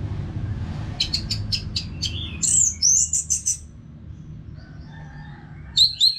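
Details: Caged orange-headed thrush singing without pause; a row of crisp, evenly spaced high clicks, then bright sliding whistles, a quiet stretch, and two more high notes at the end.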